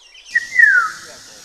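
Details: Black-naped oriole, Tainan City, Taiwan, 21 June 2017: one smooth fluty whistle, briefly rising, then gliding steadily downward, against faint background hiss.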